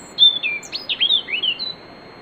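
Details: European robin singing at night before dawn, warming up in a riverside grove at Bóveda, Lugo; a thin, high warbled phrase of quick sliding whistles and short twittering notes, rising and falling, over faint steady background hiss.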